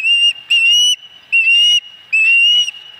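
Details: Loud, ringing whistled calls from an osprey at the nest, Dunrovin Ranch, 26 August 2020, fourth fish; four long slightly upslurred notes with bright overtones, roughly one every 0.8 seconds.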